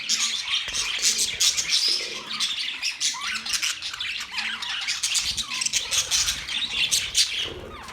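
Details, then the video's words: Several budgerigars chatter nonstop, a thick mix of sharp chirps, raspy squawks and brief whistled notes, steady in loudness for the whole stretch. "Budgies sounds"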